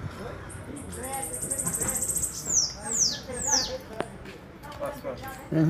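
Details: Several bananaquits singing in northeastern Brazil: a long, very high buzzy trill leads into three sharply descending whistled notes. Steady background hum and a few clicks are present.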